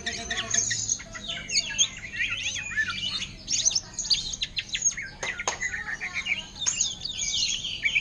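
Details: Caged greater green leafbird singing ngentrok, orange-headed thrush style, while up for sale. Dense, continuous, high twittering and whistled warbles with sharp clicks throughout.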